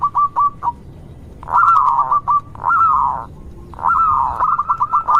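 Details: Local zebra dove singing as a lure to provoke other zebra doves into calling; short clipped coos alternate with longer rolling, slightly descending cooing phrases, repeated in bursts.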